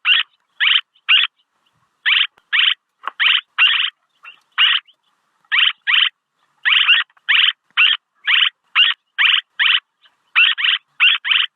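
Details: Swallow calls meant as a decoy for luring birds: rough, buzzy chirps repeated roughly once a second, often doubled, in a steady, slightly uneven rhythm against a silent background.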